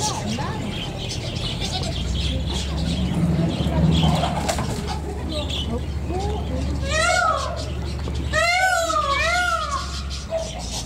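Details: Rooster crowing in the morning in the Eifel: after people talking, a series of loud, hoarse, harmonic arching calls rises and falls, repeated several times in the second half, with steady low background noise.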